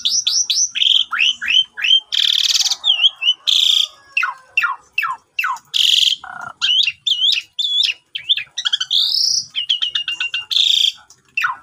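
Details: Javan pied starling song played as a morning lure to get silent birds singing, recorded on a phone: a fast, varied run of loud whistled notes, chirps, rising and falling slurs and harsh buzzy bursts, delivered in quick bursts.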